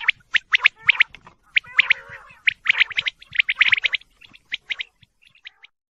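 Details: Rapid clusters of piercing quail chirps, about one burst a second, thinning out toward the end.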